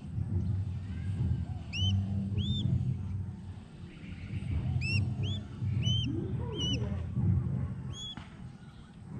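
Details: A collared falconet during hunting training gives sharp, high, upward-flicked single notes in spaced pairs and small clusters over a low rumble of background noise.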